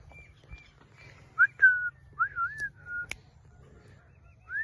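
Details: Blue Indian ringneck parrot whistling: a string of clear, mid-pitched notes, some gliding up and down in wavy slurs, ending with a short rising whistle.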